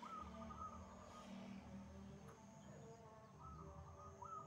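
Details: Energetic song of a wild zebra dove: a short rising coo that breaks into a rapid trill opens, with more rolling trilled phrases near the end, above a steady thin high tone and low background hum.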